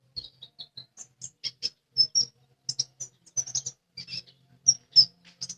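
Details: Lesser green leafbird singing actively: a string of short, high, thin chirps and sharp notes, spaced irregularly, with faint low knocking sounds between them.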